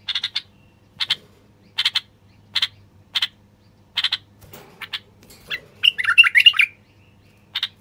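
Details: Common bulbul song to encourage silent wild bulbuls to sing and females to build nests. Evenly spaced sharp chirps lead into a single bubbling warbled phrase near the end.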